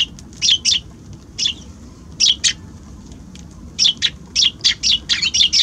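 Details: Several Eurasian tree sparrows at a balcony on January 6 give loud, clear chirps, first in spaced pairs, then in a quicker run of repeated notes toward the end.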